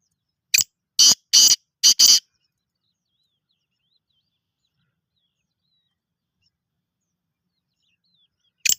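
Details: A Black francolin at Rokhri gives a quick, harsh, grating phrase of about five scratchy notes in under two seconds. Then a long silence, and one more rasping note at the end.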